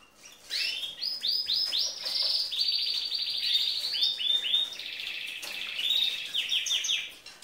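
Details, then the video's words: Female canary singing like a male to stimulate males: a rich, continuous song of rapid trilled rolls and buzzy tours, moving between high sweeping notes and lower rattling phrases for about seven seconds, with brief pauses between sections. "انثى كناري تغردFemale canary singingكلذكر وتهيج الذكور"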